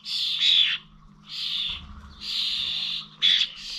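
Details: Starlings at bird feeders in Corby Old Village on 21 November 2023 give long buzzy, hissing screeches separated by brief pauses, ending with a sharp shorter squawk, faint hum behind.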